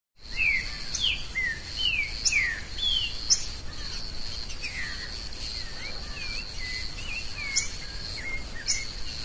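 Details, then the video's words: Green-winged saltator singing free in the forest: a steady run of clear, downslurred whistled notes, mostly in quick pairs, with a constant high insect drone behind them. "Trinca ferro solto no mato"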